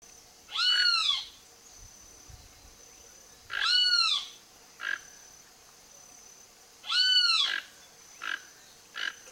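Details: Toco toucan feeding on Cecropia fruit in Brazil: loud, harsh croaking calls with stacked arching harmonics, repeated about every three seconds, interspersed with short softer rasping notes.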